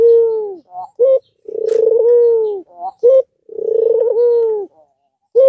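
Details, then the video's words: An albino Barbary dove repeats a long, vibrating low coo that ends with a short upward-kinked note, then quick higher notes, three times. The call is used to prompt other doves to start calling. "Puter albino suaranya indah dan sangat merangsang puter lain yang padA MALAS bunyi"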